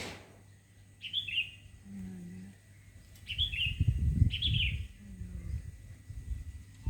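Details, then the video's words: Morning birdsong outside a house: three brief high twittering phrases with a soft lower note between them, over low rumbling background noise. "Pagi-pagi sudah dihibur dengan kicauan burung didepan rumah"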